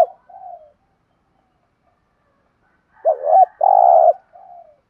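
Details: Spotted dove 'thúc gù' cooing meant to excite decoy birds: soft short coos, a long pause, then a loud wavering double note, a sustained buzzy coo, and a gentle trailing coo.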